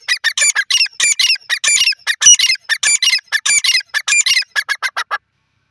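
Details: A pair of grey francolins calling: loud, harsh, squeaky notes repeated in fast bursts for about five seconds, roughly one and a half per second, with no other clear sounds.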